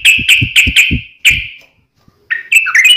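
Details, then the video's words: Yellow-vented bulbul (trucukan) in a fighting-style wild rapid song, tarung ngalas ropel: five bright, clipped notes near the upper-middle range in quick succession, a pause, then a tumbling burst of chattering notes, with soft low thumps under the first notes. "KICAU SUARA trucukan gacor TARUNG NGALAS ROPEL"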